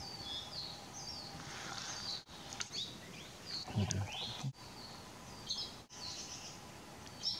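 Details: Endangered Hawaii creeper foraging on Hawaii's Big Island, 18 July 2015 at 12:10 pm, gives thin, high chips and short slurred notes at irregular intervals over a steady hiss of wind or forest, with a brief low thump.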